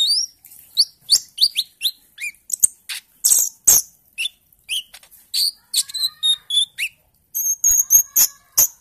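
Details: Bali myna lure song from a chorus of many birds, early-stage 'ijoan trotol' style: a series of short upslurred whistles, then scattered chirps and thin high repeated notes.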